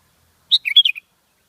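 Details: Sooty-headed bulbul gives one quick bubbly phrase of about five bright, chirpy notes over half a second, clean and close, with silence around it.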